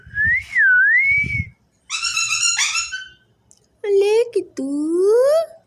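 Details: Parrot talking: a clear whistled note wavering down and up, then harsh, buzzy speech-like phrases, and finally a drawn-out voice-like phrase rising steadily in pitch, in a quiet small room.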